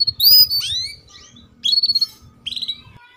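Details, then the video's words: Female canary making lure calls for young canaries: a loud high falling chirp, then short rapid rattling trills of ticking notes, with faint low background noise. "PANCINGAN Kenari BETINA Cuit Cuit || MASTERAN Kenari PAUD Agar Cepat Bunyi"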